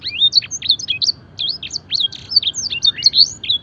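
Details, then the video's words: Fancy canary tutored with blackthroat and edel sanger song, mimicking a blackthroat: rapid run of high, sharp whistled notes and slurred chirps, densely packed and varied, continuing steadily without pause against a quiet background. "masteran suara burung kenari full isian mewah blackthroat dan sanger gacor"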